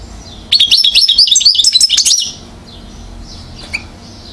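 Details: European goldfinch aged one, recorded in Mouzaia, Algeria, in 2012, giving a short burst of quick, bright, liquid twitters, then near silence with one faint note.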